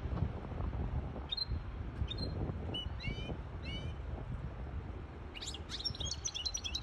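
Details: Goldfinch hybrid singing to tutor young birds and to excite a female into mating posture; scattered high chirps and short rising, stacked notes, then a denser burst of twittering near the end over a steady low rumble.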